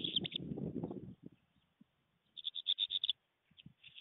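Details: Black redstart singing in flight near a stork nest at Fohrde, 24 September 2020: after low rumbling noise, a run of short, sharp, high notes repeated rapidly for under a second, then a few fainter high notes.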